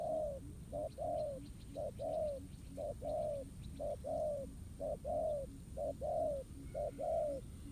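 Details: Spotted dove answering a ground decoy in a trap, with a very regular series of paired coos: a short note, then a longer falling one, about once a second. Faint ticking and low hum sit in the background.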